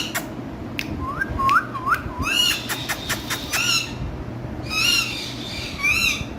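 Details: Green parrots give harsh, harmonic squawks, first a row of short rising notes, then louder bursts of screeching calls, over steady low background noise.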